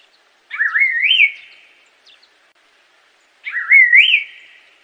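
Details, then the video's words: Assam laughingthrush giving two clear, rich whistled phrases, each wavering then rising to a peak, about three seconds apart. "Canto do pássaro Assam Laughingthrush"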